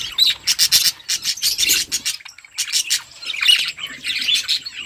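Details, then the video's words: Eating budgerigars chirp as a flock, with rapid high squeaky chatter in clustered bursts, a short lull in the middle, then renewed warbling twitters with some raspy notes. "Beautiful budgies flocks birds chirping sounds budgie eating"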